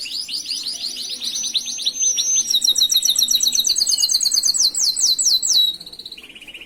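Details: Master canary song, played to train other canaries: a rapid descending warble, then a bright, very high chattering trill of repeated notes, ending in a lower soft buzzy roll.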